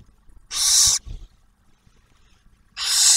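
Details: At an Ohio refuge nest box near Oak Harbor, a barn owl calls while the male brings food and the female feeds the newly hatched first owlet. Two long, rasping hisses are separated by nearly two seconds of quiet.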